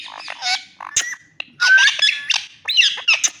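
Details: Green ringneck parrot talking, a chain of squawky, speech-like syllables and a few short whistled notes, rising and falling in quick, uneven bursts.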